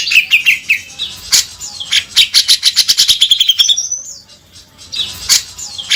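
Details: Grey-cheeked bulbul tutor recording in 'beset kasar' style: a few rising whistles, then a rapid run of harsh chattering notes, a sliding high whistle, a pause, and sharp scratchy calls again.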